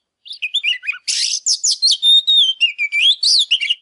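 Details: Excited Oriental magpie-robin singing while displaying, played to rouse quiet birds into singing: varied whistled phrases, a harsh buzzy burst, then a long sustained pure whistle sliding downward and rising again, all high and continuous.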